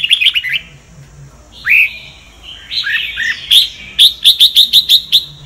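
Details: Sông Kon Red-whiskered bulbul, recorded to train the voices of kept birds; varied down-slurred whistles, then a fast even series of about eight sharp chirps.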